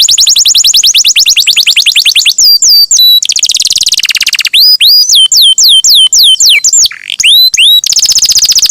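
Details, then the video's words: Energetic canary song meant to stimulate other canaries to sing: a long rapid trill, then crisp whistled slurs repeated about three per second, a buzzy roll, more slurs and a final fast trill. "Pancingan Suara Burung Kenari Gacor, Ampuh Rangsang Kenari Cepat Bunyi"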